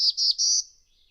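Black-throated Blue Warbler: three high, buzzy notes in quick succession, the last drawn out and rising slightly, all within a second; nothing else is heard.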